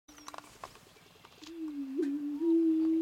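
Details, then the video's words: Greater prairie chicken during its mating dance: after soft clicks and scattered notes, a low, hollow hooting moan swells and holds steady for about one and a half seconds, with a brief higher whoop in the middle. "Greater Prairie Chicken mating dance"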